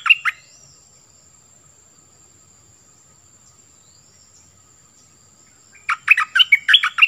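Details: Decoy Cream-vented bulbul singing: a brief bubbly burst at the start, several seconds of quiet, then a fast, loud stream of rich warbled notes near the end.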